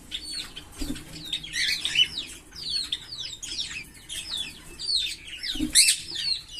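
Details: Pair of green Fischer's lovebirds chirping and singing in long bouts, rapid overlapping high twitters and bright squeaky notes tumbling over one another without pause, with a few low soft sounds underneath.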